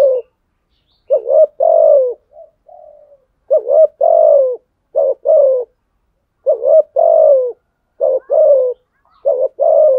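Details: Rival-challenging coos from a spotted dove. Six or seven mellow phrases come in pairs, each a clipped note leading into a longer falling coo. A faint soft murmur follows the first pair, and the background is quiet.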